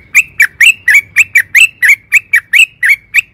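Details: Trucukan (sooty-headed bulbul) lure recording: a steady series of harsh, slurred chirps, about four per second, each note sharp and rising then falling.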